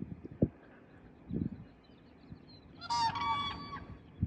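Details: Rare whooping cranes, frisky in the morning on their winter and spring grounds at Rockport, Texas, seen at close range: a loud, harmonic, bugling call lasting about a second, with scattered low thumps before and after.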